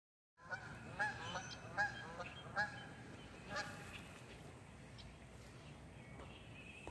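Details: Canada geese recorded 20 May 2023 give four loud, nasal honks, three in quick succession under a second apart, then a fourth, over a steady outdoor background hiss.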